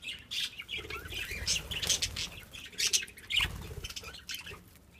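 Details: Budgerigars at a breeding box chatter in quick, scratchy chirps and squeaky warbles, with bursts of wing flapping.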